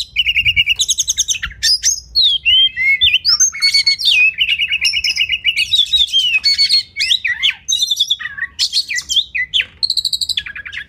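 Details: Oriental magpie-robin (kacer) masteran song used to tutor competition birds: a fast, varied run of high whistles, buzzy trills, rising and falling slurred notes and chattering bursts, nearly continuous for eleven seconds.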